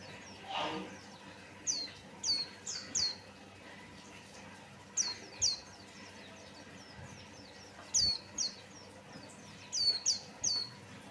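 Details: Singing white-eye used as a lure to draw song from other birds; bright, high, falling whistles delivered in groups of two to four, with gaps between groups, over quiet hissing background and a brief low rustle early on.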